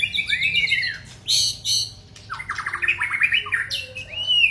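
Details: Male white-rumped shama giving arching whistles, sharp high clicks, then a rapid stuttering trill ending in a rising-falling whistle.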